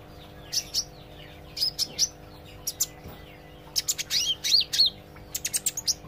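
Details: Olive-backed sunbird learning to sing loudly and chatter: bursts of sharp, very high chirps and short sweeping whistled notes in quick irregular clusters, with a steady low electrical hum beneath.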